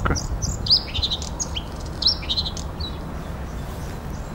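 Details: A Bluethroat sings in a marshy patch by a city beach and park in late April, a quick, varied run of sharp high chirps, short whistles and buzzy notes, over a low background rumble.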